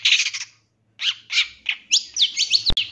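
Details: Long-tailed shrike song played to lure another shrike into singing: harsh, raspy chatter, a pause, then quick buzzy notes giving way to a fast run of sharp, scratchy trills, with a click near the end.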